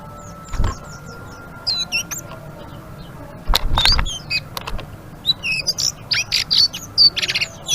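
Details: Blue-winged leafbird singing energetically in ngeriwik style, a scattered mix of high whistles, slurred chirps and sharp clicks, broken by loud knocking thumps and a faint steady tone in the background.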